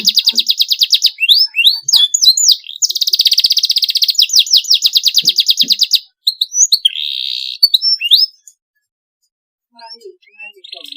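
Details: Canary singing a clean, long song: fast repeated trills and sweeping chirps, a buzzy segment, then quieter scattered notes and a short trill near the end.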